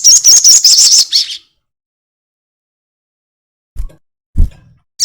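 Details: Brief crested jay chatter from a lure recording meant to make birds sing: a quick string of about eight high, harsh notes, followed after silence by two low thuds.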